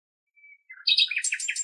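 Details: A common nightingale (Luscinia megarhynchos) singing in Greek nature opens with a soft, thin whistle, then bursts into loud, rich notes and a fast run of repeated chirps, about ten per second.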